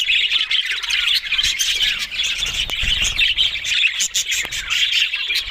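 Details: Continuous chatter from several budgerigars: overlapping chirps, harsh squawks and sharp clicks forming a busy, even warble.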